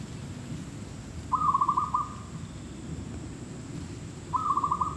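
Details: Zebra dove calling at a trapping site: two short, mid-pitched, staccato trilled coos about three seconds apart over a steady low rumble.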